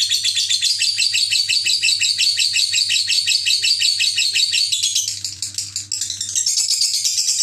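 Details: Ngekek chatter from a parblue lovebird: fast, rhythmic, buzzy high-pitched notes pulsing about three per second, briefly softening then resuming in a higher rasping run, over a constant low electrical hum.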